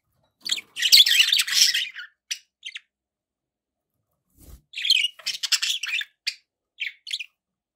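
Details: Domestic budgies produce a long harsh, scratchy chattering burst, then silence, then quick strings of squeaky chirps and warbled notes.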